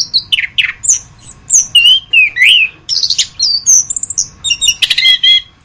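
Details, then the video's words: Orange-headed thrush song used as a masteran (training recording): loud, fast, varied high phrases of sweeping whistles, slurred downward notes, short buzzy trills and rapid chattering bursts, nearly continuous with brief gaps, over a faint steady low hum. "Masteran Anis Kembang"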